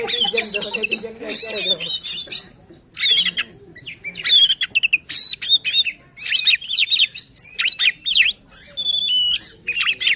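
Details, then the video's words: White-rumped shama song meant to provoke other shamas into singing and to stir silent birds; opens with a brief low voice-like sound, then bursts of loud whistles, sharp rising and falling sweeps and rapid chatter separated by short pauses. "Suara KACER Buat EMOSI dan NGOTOT Kacer Lain | Pancingan Kacer Malas Bunyi"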